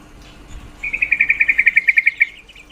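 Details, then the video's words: Calling female yellow-vented bulbul, a sound meant to raise male mating drive, giving a rapid rattling series of about thirteen clipped notes that fades slightly at the end. Soft low background hum. "Suara panggilan trucuk betina sangat efektif mendongkrak birahi trucuk jantan"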